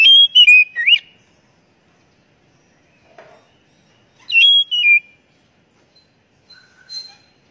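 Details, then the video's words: Oriental magpie-robin (kacer) song, used as a lure to get kept birds singing: two loud whistled phrases with slurred notes swinging between higher and lower pitches, separated by a long quiet gap, then faint soft notes. "Pancingan Burung Kacer Agar Cepat Gacor"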